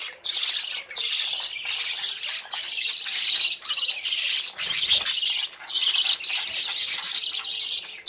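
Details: Budgie babies out of the nest, following parents for food; rhythmic bursts of loud, high squawky chatter roughly every half second to second, with brief quiet gaps.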